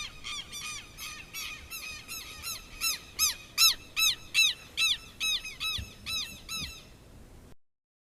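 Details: Southern lapwing from Brazil calling in a long, rhythmic run of sharp, grating notes, about two to three per second. The notes swell louder in the middle, then fade before the run stops abruptly.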